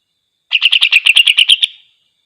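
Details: Chattering greater green leafbird song, used to provoke rival leafbirds: roughly ten quick, buzzy, metallic notes in a steady run lasting just over a second, trailing into a short fading whine, with a silent background.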